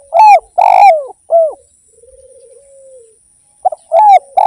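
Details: Indonesian derkuku, or spotted dove, singing briskly: three loud husky coos, a soft wavering low coo, then the phrase restarts. The recording is otherwise quiet.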